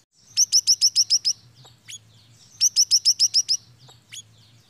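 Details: Siri-siri lure call used to draw birds in: a burst of about seven sharp, high chirps in quick even succession, repeated after a pause, with a few thin squeaks between over a faint low hum.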